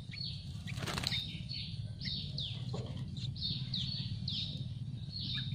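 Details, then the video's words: Hungry Yellow-vented Bulbul nestlings begging for food in a nest on a tree: high, thin chirps that slide downward, repeated rapidly in overlapping bursts, with a brief wing-flutter near the start over steady low rumble. "trucuk ngeloloh anak/Hungry baby birds of Yellow vented bulbul begging for food in a nest on a tree"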